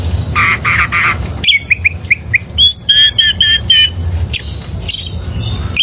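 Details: Wild oriental magpie-robin, used as a training recording for caged birds: three harsh buzzy bursts open, then a run of short clear whistles, some rising, some falling, mixed with chirps over a low background hum.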